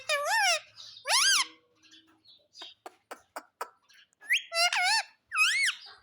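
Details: Happy pet parrot indoors, letting out loud bent squawks at the start, a series of quick dry clicks in the middle, then several more wavering harmonic screeches.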